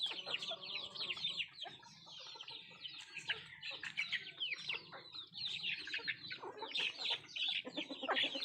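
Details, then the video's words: Country chickens feeding as a group, with dense, rapid high chirps repeated without pause and a few deeper clucks and knocks underneath. "Nattu kozhi Food eating and sound effect"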